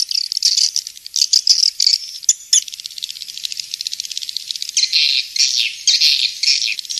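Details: Swiftlet twittering: fast, buzzy, high chatter with loud trilled bursts, a short gap near the middle, then thick chirring phrases that swell and fade.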